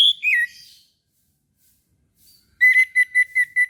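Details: Orange-headed thrush singing in the morning: one bright whistle slides down, then after a pause comes a fast run of six short, even notes on a single pitch.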